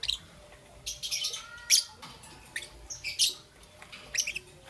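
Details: Young peach-faced lovebird, green and yellow, chirping in the morning: sharp, high chirps in short bursts with gaps, a few quick squeaky notes clustered around the middle and end, over a faint steady background hum.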